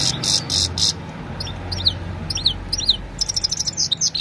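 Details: Evening song of a Himalayan goldfinch, mobile phone recording: opens with a few buzzy rasping notes, then spaced liquid downslurred chirps, ending in a quick rattling trill of high notes.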